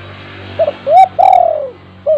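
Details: A single cooing phrase from a spotted dove kept at home, played to start silent doves calling: short note, rising coo, long gently falling coo, short final note, with faint low hum behind.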